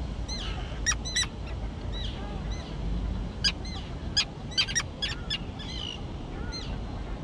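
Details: Young terns in an island colony overgrown with tall grass; scattered sharp clicking notes and brief high downslurred calls from several birds, with low background noise.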